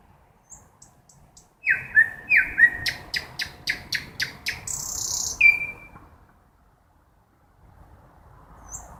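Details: Forest nightingale at night delivering a strong phrase of sharp whistles that speed into a rapid series of loud pulses, ending in a hissing high rattle and one clear note.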